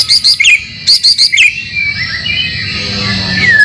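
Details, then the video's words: Song to prompt caged white-rumped shamas: two bursts of quick high ringing notes in threes, followed by soft sliding whistles and a final falling whistle over steady hiss. "masteran murai batu yakin 100% bikin gacor setiap saat"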